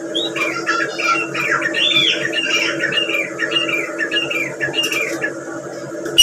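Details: Female grey francolin (teetar) call used for hunting: a continuous run of scratchy, squawking notes rising and falling, over a steady low electrical hum, ending in a sudden loud click.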